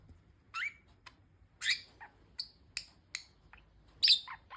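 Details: Pet budgerigars chirping: a string of short, sharp, squeaky high chirps, some falling in pitch, spaced irregularly about every half second, with one louder harsh chirp near the end; little else heard.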